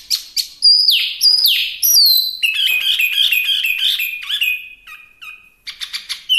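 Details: Song of a Chinese hwamei (wambi mini): loud sweeping whistles falling and rising, followed by a fast rolling sequence of chattering notes and a few sharp clicks at the end.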